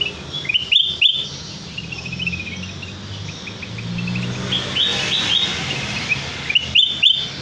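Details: Sooty-headed bulbul song played as a trapping lure to prompt a full repertoire: thin, high twittering series of short notes with louder sharp chirps at the start and end, soft rumble underneath.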